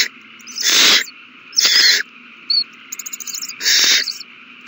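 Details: Owl young during a big meal, March 27, 2020: three harsh hissing screeches spaced over several seconds, with a short squeak and a soft rapid ticking series in between.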